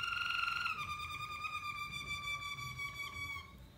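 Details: Malinois canary singing loudly without faults: a clear, steady whistled note that steps down in pitch after a moment, then holds as a long, gently wavering tone before fading out.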